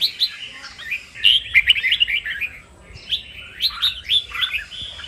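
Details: Red-whiskered bulbul singing kích bổi, a song used to stimulate other bulbuls to sing. Two bouts of lively, bubbling whistles are split by a short pause, with crisp high accents throughout.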